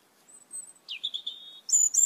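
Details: Greenish-black, red-eyed Asian glossy starling among a flock stripping papayas from a yard: soft high whistles, then a swooping note that levels into a long whistle, and two piercing squeaks at the end.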